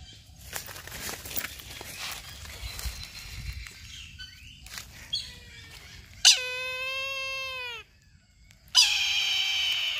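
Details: After faint rustling and scattered background chirps, a Brahminy kite gives two loud mewing calls. The first is a drawn-out quavering cry that falls away at the end, and the second is harsher and more buzzy.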